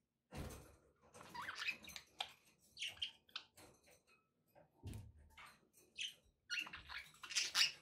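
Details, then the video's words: Budgerigars kept as pets, continuous twittering chatter of squeaky, buzzy short notes with occasional rising whistles, alongside low thumps and background room noise. "budgie sounds with background noise for relaxation"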